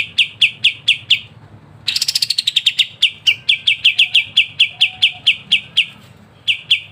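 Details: Olive-winged bulbul in lively 'ngebren' song, recorded as a master song for songbird training: steady sharp chips, a dense rapid burst of notes, then renewed chips about every quarter second, with faint whistles behind.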